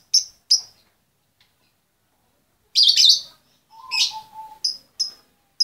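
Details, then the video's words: A female lovebird calls to the male with short shrill chirps, a harsh rasping burst, a lower wavering note, and more sharp piercing chirps. "SUARA LOVEBIRD BETINA MEMANGGIL SI JANTAN"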